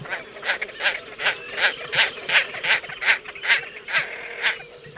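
Great Crested Grebe giving a steady series of harsh, nasal, honking notes, about two or three per second, over a faint low hum.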